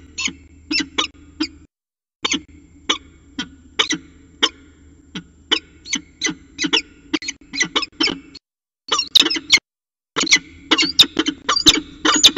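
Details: At a water tower nest site on 5 February 2018, a northern goshawk pair mating on the nest edge gives a long series of sharp, chattering notes about every half second, with a steady hum underneath.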